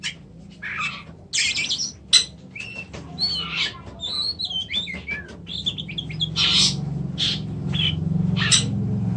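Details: Oriental magpie-robin (kacer) singing varied phrases of sharp whistles, buzzy bursts and high chirps, with irregular pauses between notes, over a steady low hum.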